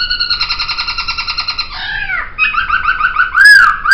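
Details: Poksay, a laughingthrush, gives a fast pulsing nasal rattle, a downward swoop and then loud rising whistles.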